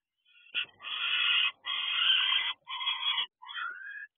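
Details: Owl returning to its nest box with food at 6:12 pm on 9 January 2024; a series of raspy, harsh, harmonic-rich bursts, each under a second long, separated by short gaps, with a softer falling note at the end.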